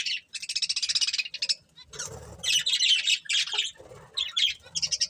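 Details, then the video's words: Budgerigars, a breeding pair, chattering loudly in fast pulsed, buzzy trills and warbles, nearly continuous, with some low rustling in the middle. "Cute Budgies Chirping Sounds"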